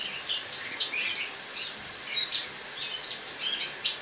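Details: Autumn song of a captive Eurasian blackcap kept indoors for winter, recorded on a morning on 1 October 2017: soft, rapid chattering and twittering phrases, high and varied, with short pauses between bursts.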